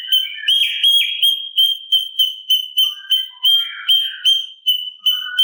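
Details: Sooty-capped babbler master song for teaching birds such as cucak ijo: a continuous high whistle with strong regular pulses about three per second and brief lower slurred notes.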